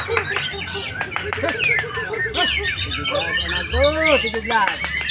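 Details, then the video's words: White-rumped shama singing in the style called tembakan dorodod: a rich run of varied whistles, rapid chirps and arched, swooping notes in quick succession, over a steady low hum. "Kicauan Muray Batu Tembakan Dorodod"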